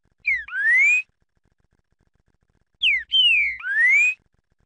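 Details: Spirited 'fibra' green-winged saltator giving two loud whistled phrases about two and a half seconds apart. Each is a short falling note followed by a long upward-sliding whistle, with a faint low hum beneath.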